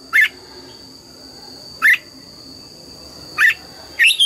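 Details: Red-whiskered bulbul singing in the morning, forest-style double-note song: four short, sharp whistled phrases spaced about one and a half seconds apart, each a quick rise and fall, over a steady high electronic whine.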